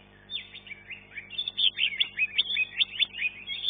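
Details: Green leafbird singing in a contest, third-place winner of class one: quick stream of chirps and buzzy whistled slurs, about two or three notes per second, steady throughout.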